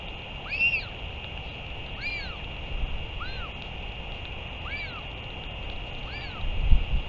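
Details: Northern royal albatross at a return and feeding, 31 May 2023; clear, evenly spaced arched calls with bright overtones repeat roughly every one to one and a half seconds, with a steady hum and a low thump near the end.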